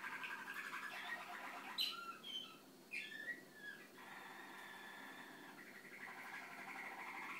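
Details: Malinois canary (Serinus canaria), a song-bred waterslager type, sings a continuous rolling song of mid-pitched bubbling tours and sustained warbled rolls, with a few brief higher notes near the start; recorded 2013.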